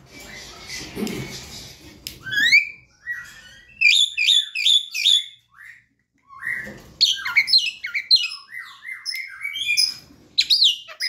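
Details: Young Asian pied starling learning to sing, offered as a lure recording to play morning, midday and night; a noisy hiss at first, then rapid squeaky, chattering whistled phrases with sharp rising and falling notes in bursts.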